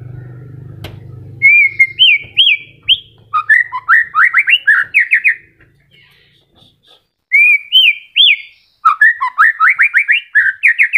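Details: Moulting white-rumped shama still singing melodiously: two long sequences of upward-looping whistles and fast chattering notes, separated by a short quiet gap, with a faint hum at the start.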